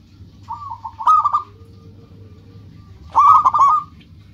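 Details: Local zebra dove song used to draw rivals' attention: a drawn-out coo running into a fast rolling burst, a pause, then another brisk series of clipped hollow notes.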